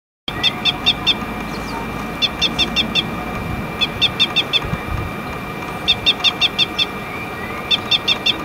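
Red crossbill giving sharp, high 'kip-kip-kip' notes in quick bursts of four or five, about every two seconds, over a low background rumble.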